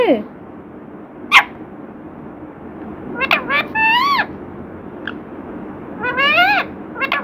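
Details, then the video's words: Chatty parrot mimicking 'Radhe Radhe' utters scattered clicks and several bent, wavering speech-like syllables in short bursts, with background hiss. "बातूनी तोता 😍मिठ्ठू राधे कृष्णा"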